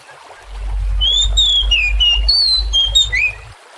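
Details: An Oriental magpie-robin, used as lure audio to spur other birds to sing, gives a quick run of clear, varied whistles, some sliding up and some down, over a steady low thumping.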